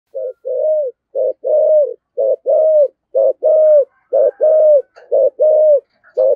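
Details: Spotted dove (cu gáy) in the 'giọng thổ' voice style, urgent 'thúc gù' cooing: low hollow two-part coos, a short note then a longer drawn note, repeated steadily about once a second, six phrases in a row.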